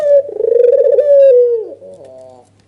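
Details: White red-eyed albino Barbary dove giving an agitated nodding display call, meant to provoke a rival dove into calling: a rapid throbbing, rolling coo runs into a long, smooth, slowly falling hoot, then a faint softer tail.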